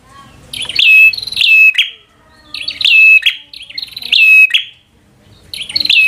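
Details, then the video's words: Bar-winged prinia in constant fighter song aimed at stirring a rival. Three loud bursts of crackling snaps and ringing whistles, each separated by a short pause. "Prenjak Gacor Full FIGHTER Bikin Prenjak Jadi Emosi Lawan"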